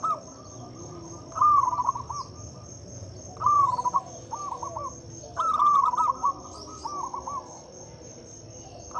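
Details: Zebra dove, a local bird, singing as a lure for doves that rarely sing. Three loud rolling cooing phrases alternate with quieter answering notes, against a steady high insect whine.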